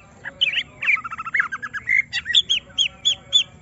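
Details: Greater green leafbird, a kept bird stirred to show its full song: a fast rattling run of notes, then clear upslurred whistles repeated roughly every quarter second.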